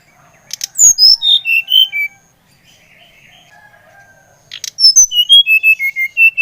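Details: Brown-chested jungle flycatcher (SRDC) from Bali, song used to stimulate another bird to sing: clear whistled notes stepping down from high to lower pitch, a pause with faint background, then a second descending whistled phrase.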